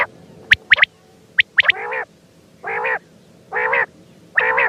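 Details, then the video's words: Quail calling: a few sharp high clicks and doubled notes, then rounded, nasal, harmonic bursts repeated roughly every second. "Batair ki awaz quail Sound"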